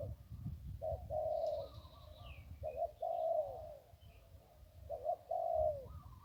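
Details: One-kuk song of a zebra dove by the Ping River: short stuttered notes leading into drawn-out rolling coos, three phrases in a row, with a faint descending whistle from another bird.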